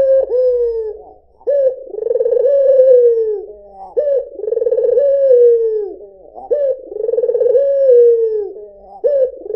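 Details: White albino Barbary dove cooing steadily: low, mellow phrases with a short upward hook, a purring pulsed middle and a sliding fall, repeated roughly every two and a half seconds.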